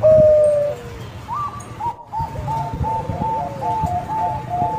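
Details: Bangkok-type zebra dove, a champion singer used to lure other doves: a long sliding coo followed by a run of soft, quick repeated cooing notes at a steady mid pitch, with a low rumbling background.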